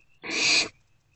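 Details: Barn owl owlets in a nest box at night, between 1:28 and 3:20 am on 2 March 2024, snuggling together; one harsh, breathy hiss lasts about half a second over a quiet background.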